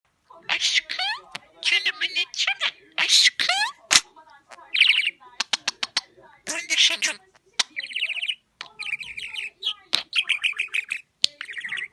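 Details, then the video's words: Pet budgerigar talking in Turkish, a rapid run of chattering, slightly buzzy mimicked words broken by short clicks and pauses, with warbled high chirps between the phrases. "Muhabbet Kuşu Sesi"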